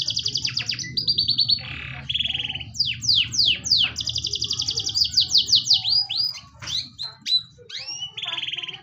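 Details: Varied canary song: high rapid trills shifting in pitch, a short lower buzzy phrase, then sweeping downslurred notes and a long bright rolling trill, closing with scattered chips and a mid-pitched trill.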